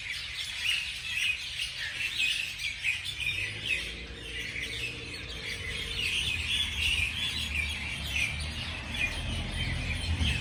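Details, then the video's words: Morning birdsong: many overlapping chirps and tweets from several birds, short bright notes scattered throughout, with a steady low rumble of background noise. "beautiful morning beautiful birds chirping sounds calls"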